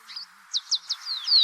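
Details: African Pied Wagtail in Cameroon, a bird of waterways that follows running water, gives three quick, high, sharp chirps that dip in pitch, then a pair of longer, thin whistled slurs.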